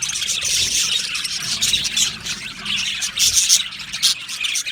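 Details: Budgerigars kept together in an aviary, a dense chorus of shrill chirps and squeaks rising in bursts, loudest near the start and again toward the end.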